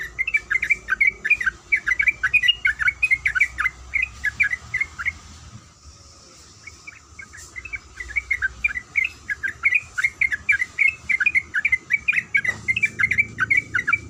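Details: Sooty-headed bulbul female calling to a male, a long chattering series of quick, bright notes that breaks off for about two seconds midway and then resumes, over a faint low background rumble.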